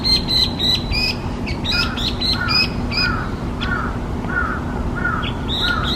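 Chinese hwamei giving loud, bright whistled phrases of quickly repeated notes, with lower slurred, arching notes running underneath; a steady low rumble fills the background.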